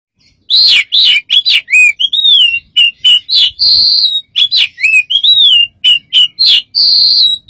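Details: A bird described as smart with many strange sounds gives a rapid varied series of whistled and chirping notes, some rising, some flat, near-continuous with short gaps, no other sounds.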